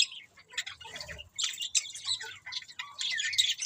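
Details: Budgerigars warble and squawk in high scratchy phrases, rising into a continuous stream of overlapping chirps, over a quiet low murmur.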